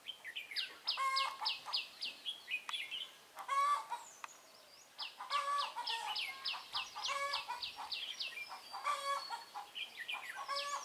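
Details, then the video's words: Red-whiskered bulbul used as a decoy during trapping on 23 March 2018, singing fiercely to challenge rivals: rapid runs of bright, downslurred whistled notes in dense bursts, with short pauses between phrases and lower harsh, buzzy notes mixed in. "Bẫy chào mào Mí lửa Bắn như AK ché rát"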